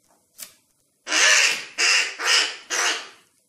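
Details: A young crow, hungry and apparently fallen from its nest, is hand-fed and gives four harsh, raspy begging calls in quick succession, each about half a second long, after a brief faint sound.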